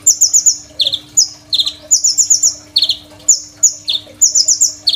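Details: Crimson sunbird singing loudly and steadily, its song rich in borrowed phrases and recorded on a phone as training material for other songbirds: rapid, piercing high twitters in quick runs, each cluster dropping to a lower buzzy note.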